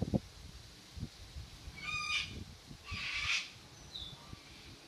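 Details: Cockatoo recorded at Airlie Beach giving two raspy, noisy screeches about a second apart, with soft low knocks and rustling underneath.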